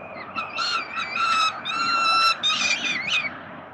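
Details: Peregrine falcon young begging as the father brings food, 367 Collins, Melbourne, Australia: a short run of shrill, steady wailing notes, some wavering, rising in loudness then breaking into separate squeals.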